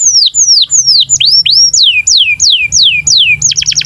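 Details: Breeding-condition canary song meant to coax young canaries to sing and roll: repeated loud whistles sweeping sharply downward, several per second, ending in a brief rapid trill.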